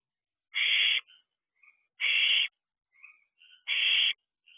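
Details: Barn owls in a nest box with owlets after midnight on 6/7/23: three loud, rough hissing screeches about a second and a half apart, with soft chittering notes between them.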